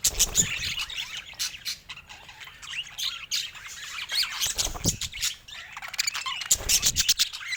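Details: Group of pet budgerigars chattering, fast high chirps and squawks tumbling over one another, broken by a few broadband rustling bursts.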